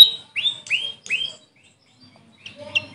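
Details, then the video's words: Grey fantail, locally Maria Capra: three clear, high, upward-sweeping whistled notes about a third of a second apart, then near silence and a few faint chips. "Grey Fantail bird call||huni ng Maria Capra kung sa amin tawagin"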